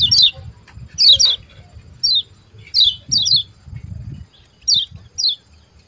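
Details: Kecial kuning, a white-eye, calling 'ciak ciak' to provoke caged birds to sing: bright, high falling chirps in pairs and singles every second or so, with low rumbling noise underneath.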